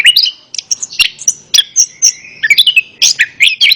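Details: Lively Orange-headed thrush song of rapid, varied high notes: sharp chips, short rising and falling whistles and trills in quick succession, meant to prompt a quiet bird to start singing.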